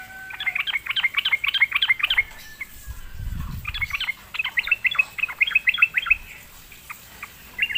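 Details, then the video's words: Sooty-headed bulbul lured into singing delivers rapid, bubbly runs of repeated chirpy notes in two long bursts separated by a brief pause with a low thump, ending with scattered single notes. "sekali di pancing trucukan malas bunyi pasti Nyaut gacor"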